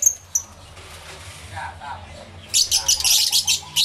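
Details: Lovebirds in an aviary recorded live with two microphones: two piercing high notes, a quiet murmuring stretch, then a burst of rapid, harsh, shrill chattering.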